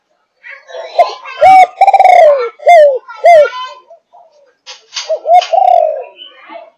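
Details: A 5.5-month-old spotted dove of Malaysian stock delivers thúc gù coos: soft lead-in notes, a long wavering falling coo, then two clipped hooked coos, with a second softer phrase afterwards.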